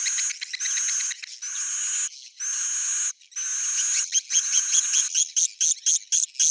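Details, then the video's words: Swiftlets twitter in dense, high, buzzy chirping bursts, the later bursts shorter and quickly repeated, with no other sounds. "swallow's original sound"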